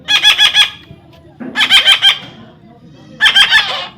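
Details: Young parrot calling in pulsed, raspy screeches, each made of four or five quick beats, repeated three times in four seconds.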